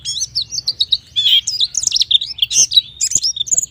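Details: Energetic white-eye song, played to get young birds singing: a continuous jumble of high twittering notes, buzzy trills and sharp whistled slurs with hardly a pause.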